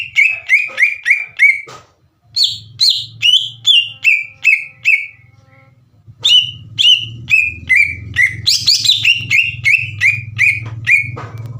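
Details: Green leafbird song used to bait untrained birds into calling: repeated bursts of downslurred whistles, short breaks between phrases, building to a busy, overlapping flurry near the end, with steady low hum behind.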